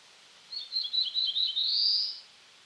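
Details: Eastern North American black-throated blue warbler, Setophaga caerulescens: buzzy, wheezy song of five or six short notes leading into a prolonged, ascending zee at the close.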